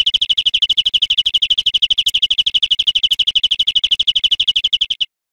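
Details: Greenfinch song from a cage-bird teaching recording: a continuous rapid trill of high, buzzy repeated notes, about three per second, steady throughout, with faint clicks and no other birds.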